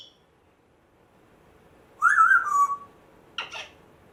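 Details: Rescued African grey parrot, a month after its rescue, in a quiet room: one warbling, wavering whistle lasting under a second, then a short scratchy click burst. Its earlier home had a squeaky door and a Chihuahua.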